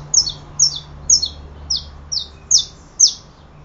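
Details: Saffron finch song of seven loud, high, descending chirped notes, each with a quick echo-like second part, spaced about half a second apart over a quiet low hum.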